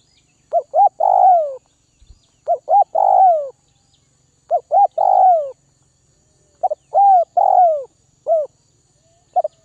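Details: Spotted dove from Northwest Vietnam, kept and being tamed to lose its fear of people, cooing: four phrases, each with two or three short clipped notes then a long, mellow, falling croo, repeated about every two seconds.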